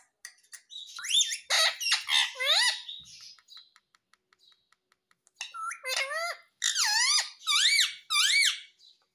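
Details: Pet parrot said to say "mummy" or "papa"; rapid squawky speech-like syllables, a pause with light tapping clicks, then more clear rising-and-falling harmonic utterances, indoors.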